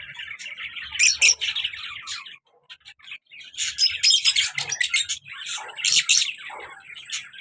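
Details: Pair of pet lovebirds, a colour male and a black mask female, described as very active: shrill, squeaky chirps in dense chattering bursts, a brief lull near the middle, then more rapid screechy twittering.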